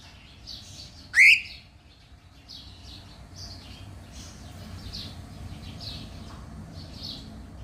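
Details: Pet cockatiel enjoying time outdoors gives one loud, sharply rising whistled call early on. Soft, repeated chirping from many other small birds continues throughout over a steady low rumble.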